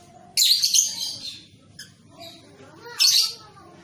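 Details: Juvenile lovebird, recorded as training material for long ngekek song. Two brief, loud, scratchy high bursts stand about two and a half seconds apart, with softer twittering between them.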